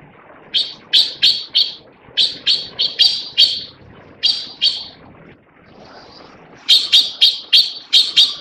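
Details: Taiwan blue magpie, a blue bird alongside a rare leucistic white one, giving harsh, rasping notes in quick bursts of three to five, the bursts repeating after short pauses.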